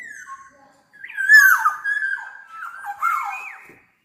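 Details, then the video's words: Black-naped oriole singing very actively (gacor): clear whistled notes near mid pitch, slurred and wavering, broken by harsh nasal downward squawks, with a short pause near the start of the phrase. "Burung Kepodang Super Gacor"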